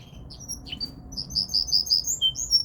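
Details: Hybrid mule of Linnet and Canary singing: a few sharp high chirps, then a rolling series of bright repeated notes about six per second, with a quiet low hum behind.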